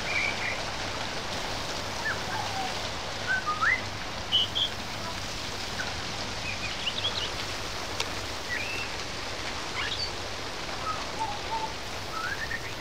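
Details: Pied butcherbird, raised near the house since a chick, perched on a fence under a verandah during rain, mimicking other sounds: scattered short whistled and slurred notes at varied pitches over steady hiss of rainfall.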